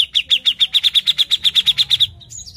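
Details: Grey-cheeked bulbul in full vigorous song as a lure: a fast, even run of about seventeen bright high chirps over two seconds, ending in a faint thin whistle.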